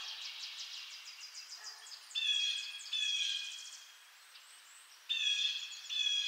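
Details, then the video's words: Blue jay from eastern North America giving harsh, buzzy jay notes in pairs, one pair near the middle and another near the end, over a faint high twittering of other small birds. "Blue Jay Sounds"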